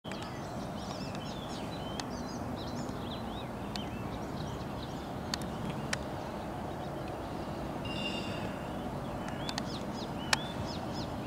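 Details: Icterine Warbler singing at sunrise on 9 June 2023, a varied, chattering run of squeaky, mid-to-high notes with a few sharp clicks, over a steady low rumble like distant traffic.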